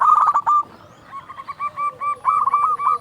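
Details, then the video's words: Local zebra dove with a loud voice singing as a lure: a fast stuttering burst, then a steady run of separate hooked coo notes, ending in another quick phrase. "Perkutut lokal gacor SUARA BESAR pancingan burung perkutut agar bunyi"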